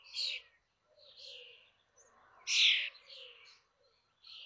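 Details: Common starlings at Théding on 19 May 2024, the day five chicks fledged from the nest; soft buzzy and wheezy notes in short phrases, one louder rasp midway, over a quiet background.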